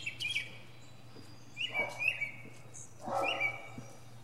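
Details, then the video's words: From the top of a pine tree, the mockingbird gives spaced phrases of bright slurred whistles with lower harsh undertones, about a second and a half apart. "Northern Mockingbird goes thru his greatest hits!"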